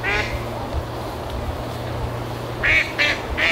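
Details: Ducks on a moat at Barrs Court, heard through vegetation but not visible, recorded outdoors with a shotgun microphone; a few nasal quacks start the clip, then a quiet gap, then three short quacks near the end, with a low steady hum underneath.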